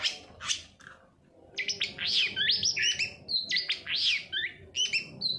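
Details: Long-tailed shrike lure song, played so silent shrikes begin singing: a couple of loud rasping notes, a brief pause, then a lively jumble of quick whistles, chips and short slurred notes.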